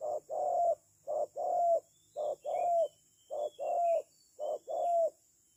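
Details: Spotted dove serving as a trapping decoy, cooing rhythmically in short-long pairs, five pairs evenly spaced about once a second, with faint distant bird twitters.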